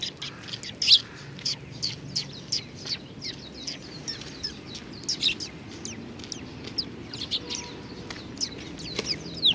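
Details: A flock of young sparrows crowding at food, Tenmangu shrine, Nakanoshima, 25 May 2020. Steady overlapping high chirps and short slurred notes continue through the clip above a low background hum.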